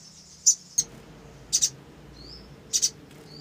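Olive-backed sunbird giving very high, sharp doubled chips about once a second, with faint thin rising whistles between them, over a quiet background.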